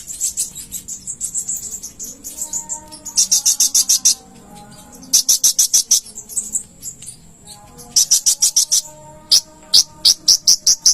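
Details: A konin sings on a training master for cage birds: thin high sustained twittering, then repeated rapid bursts of sharp clicking chips in groups, with a soft background hum.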